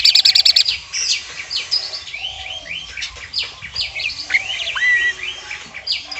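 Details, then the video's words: Asian pied starling, a master bird whose only filler is woodpecker mimicry, giving a short burst of rapid sharp pulses, then a loose run of varied whistled slurs, rising and falling notes and chirps. "jalak suren materi tembakan platuk"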